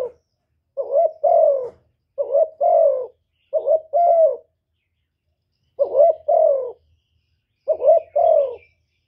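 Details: Spotted dove giving its calling and urging coos: five two-part phrases, each a brief hooting note and then a drawn-out, slightly descending coo, spaced roughly every one to two seconds in quiet surroundings.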